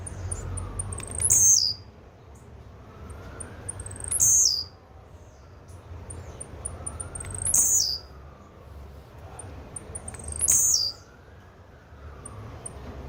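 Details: Blue-black grassquit singing four short, high, buzzy bursts at regular intervals of about three seconds, each preceded by ticking notes, with low rumbling background noise.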